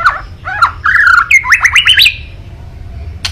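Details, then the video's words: Rival-provoking kretekan from a white-rumped shama: scratchy chattering notes build into a fast, rising series of buzzy, rattling elements. A lone click sounds after a short pause. "KRETEKAN MURAI BATU MEMANCING EMOSI🔥🔥🔥 LAWAN"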